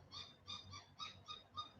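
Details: A woodpecker in an overgrown front yard, heard through a screen door, gives six quick, nasal, evenly spaced call notes, about four each second, faint over a low indoor hum.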